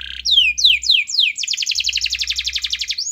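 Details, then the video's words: Domestic canary in vigorous song, played to make a lazy canary sing: four loud, drawn-out falling whistles followed by a rapid, even, rolling trill of doubled notes. "Suara Kenari Gacor Yang Malas Awas Nyaut || Pancingan Kenari Malas Bunyi"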